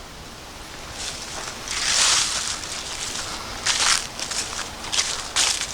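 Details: Footsteps crunch and rustle through dry leaves in bursts on a hike along the Appalachian Trail and Hosack Run loop in Michaux State Forest, over a soft outdoor background, with no animal calls.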